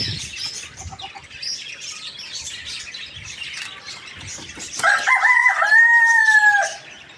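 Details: Morning crow of a rooster: after several seconds of busy twittering from many small birds, a loud, steady, harmonic crow rings out for about two seconds, holding level before cutting off, with chirping continuing behind it.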